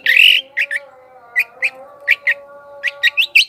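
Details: Long-tailed shrike song used as a lure to attract wild birds: a short buzzy burst, then spaced sharp chirps in pairs and short clusters, over a steady low droning hum.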